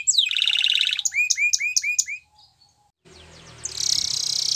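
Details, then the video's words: Canary song: a bright buzzy trill and a run of rising whistled slurs. A short silent pause follows, then faint hiss and a soft, high buzzing roll. "Canary Bird Sounds | Melodies Canary Singing"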